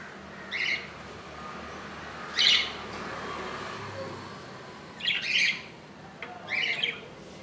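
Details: Budgerigar nest with a baby hatched at 2 AM on 15 July 2018, an inch long, on day two; four bright, rasping chirps at uneven intervals over a steady hiss.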